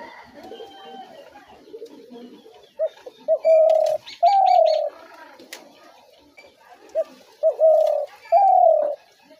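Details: Spotted dove call used to lure doves into traps: low coos, one short note then a longer steady coo, in two bursts several seconds apart, with faint background chatter indoors.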